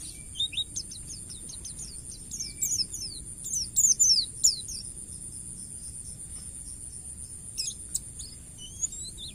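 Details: Forest white-eye song for training a cage bird: fast series of high thin notes building to a loud burst of twitters, then sparse chirps and a few rising whistles over steady background hiss.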